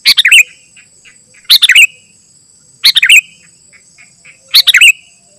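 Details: Sooty-headed bulbul in 'gacor' song, used to lure wild bulbuls and tutor caged ones: four short bubbly phrases of sharp notes sliding into falling whistles, roughly every one and a half seconds, with a faint high constant tone behind.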